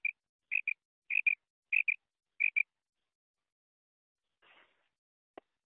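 A female quail gives sharp, high double notes, about five pairs in quick succession, then goes quiet apart from a faint rustle and a click.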